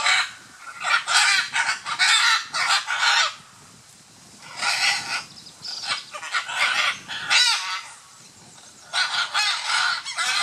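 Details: Scarlet macaws courting at Playa Blanca, La Palma, on Costa Rica's Osa Peninsula; loud, raspy, grating squawks in rapid bursts, several clusters separated by short pauses, harsh and broadband throughout.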